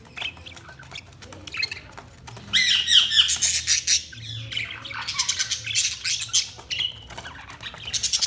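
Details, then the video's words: Budgies chirping in a lively chatter: quiet scattered chirps open into a loud dense run of rapid squeaky, scratchy warbled notes that continues with short pauses. "Budgies Sounds| Budgies Chirping sound"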